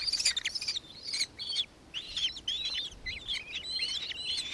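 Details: High, sharp chattering from a nankeen kestrel in Victoria, Australia, recorded 4 December 2024; short notes tumble together, pause briefly, then resume in a jumbled series.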